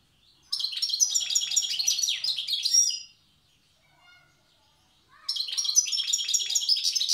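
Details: Tiaret wild goldfinch singing the old style: a long, dense burst of fast liquid twitters and buzzy trills, about two seconds of near silence, then another energetic twittering run.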